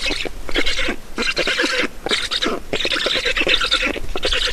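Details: Black stork nest in Estonia, feeding on 5 June 2019, 16:28: loud hissing, raspy calls in long bursts of about a second, broken by short gaps, harsh and breathy in tone.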